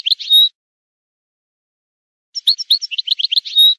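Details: Goldfinch song used to teach young birds: a brief burst of high, rapid twittering notes ending in a clear whistled note, then after a silent pause a longer run of chattering chirps closing on another bright whistle. Background is silent.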